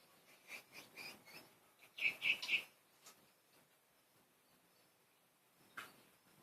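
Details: Playful pet budgerigars: a quick run of three sharp, high chirps in the middle, with fainter scattered tweets before and one lone chirp near the end.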